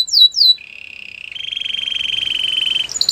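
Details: Belgian canary song: two quick descending whistles, then a long steady buzzing trill that grows louder, ending with a high note.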